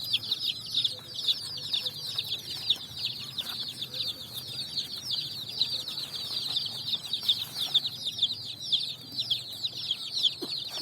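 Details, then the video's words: A flock of colored chicks running and searching for food on sand, giving an unbroken stream of shrill, high peeps, many birds calling at once, with faint low background hum. "Chicks Chirping"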